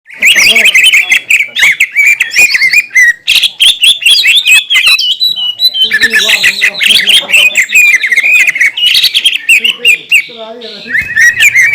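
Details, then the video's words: Green leafbird singing loudly to provoke other green leafbirds into agitation: a dense, continuous stream of varied whistles, chips and warbled phrases, with quick mimicry-like changes and very few pauses. "PANCINGAN CUCAK IJO GACOR,SUARA NYA BIKIN BURUNG CUCAK IJO LAIN LANGSUNG EMOSI"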